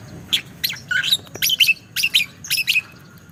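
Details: Lovebird in full 'ngekek panjang' long chattering song: a fast, uneven stream of shrill, squeaky chirps, roughly a dozen notes in three seconds, often paired in quick doublets, over a low hum.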